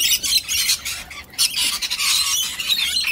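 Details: Cockatoos facing off, one a one-eyed bird confronting another; a rough, grating screech runs almost continuously, with a brief dip midway before harsh noisy calling resumes, loud throughout.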